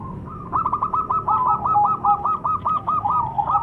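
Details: Zebra dove, local perkutut, pouring out a long rapid series of around sixteen bubbling coos at an even quick pace, with a low rumble in the background.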